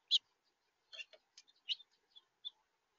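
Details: A house finch caught as a visitor on a home camera gives a loose series of short, bright chirps, about eight notes spread unevenly over three seconds, some doubled and slightly buzzy.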